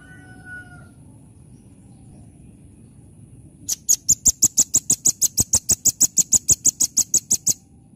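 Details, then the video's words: Rambatan, the velvet-fronted nuthatch, in full 'nembak' delivery: after a quiet opening with faint tones, roughly twenty piercing high-pitched notes follow at about five per second, evenly spaced and steady for nearly four seconds. "Rambatan ( R.P.M ) Gacor Full Nembak Nembak"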